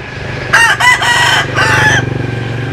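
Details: Rooster crowing, from a compilation of Vietnamese chickens and American Sil cocks: one harsh, harmonic crow broken into several loud segments over about a second and a half, with a steady low hum underneath.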